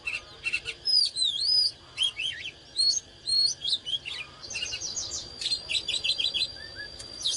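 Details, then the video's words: Oriental magpie-robin in excited song (căng lửa): rich, varied whistled phrases with swooping and dipping notes, then a rapid run of repeated short notes. "เสียงนกกางเขนบ้านหรือนกบินหลาขี้ควายใต้ Chích chòe than CHÒE THAN CĂNG LỬA HÓT MÚA CỰC HAY"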